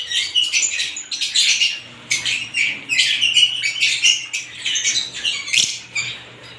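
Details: A group of assorted lovebirds chirps in choppy bursts of piercing, scratchy squeaks repeated roughly every half second, with a faint low hum underneath.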